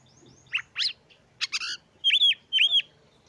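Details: Oriental magpie-robin (kacer) singing to rouse other magpie-robins' breeding urge and singing; soft high whistles, two steep rising sweeps, a buzzy harmonic burst, then two loud arched whistled phrases.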